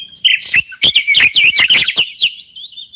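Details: Moroccan common bulbul singing: a lively run of rich whistled notes, rising and falling warbles and quick slurred phrases packed closely together, each note sharp and clear, with a steady high whistle trailing off at the end.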